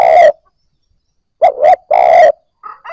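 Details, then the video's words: A spotted dove coos to stir newly caught birds. A long coo ends one phrase, then a full phrase of two short notes and a drawn-out croo follows, with faint whistled notes at the end. "Tiếng cu gáy kích bổi nhanh nổi"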